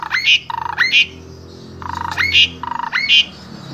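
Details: Harsh rasping notes joined to upswept whistles, repeated about four times in under four seconds, from an Asian pied starling in Wonosobo, Indonesia, whose full repertoire is used to train other starlings.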